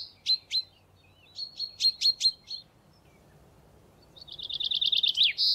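Common chaffinch: a few bright, spaced chips, then a fast run of high repeated notes that ends in a quick flourish.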